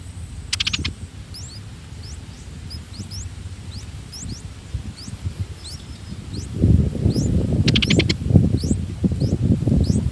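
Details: Three-day-old streak-eared bulbul chicks in a nest in a water jasmine tree give thin, high, downslurred chirps about every half second as parents feed them, over low rustling and two bursts of wingbeats.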